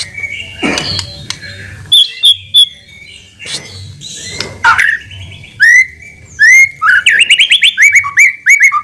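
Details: Caged white-rumped shama used as a lure to provoke a response: loud varied song of clear whistles, a sharp rising note, then a fast repeated series of buzzy trilled phrases, with low background hum.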